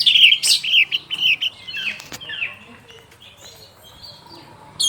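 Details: Orange-headed thrush singing in the afternoon: a burst of loud, varied, high whistled and twittering phrases in the first two seconds, then quieter scattered chips and soft notes.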